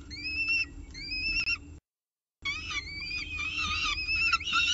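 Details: At the CSU Orange nest, a peregrine falcon with a pigeon breakfast, 24 October 2018 around 8 am; two long drawn whining notes, a pause, then busier overlapping wails.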